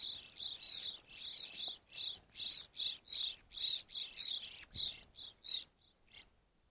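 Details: Evening grosbeak at a feeder delivering a steady series of around fourteen loud, ringing high call notes, nearly two per second, fading away at the end.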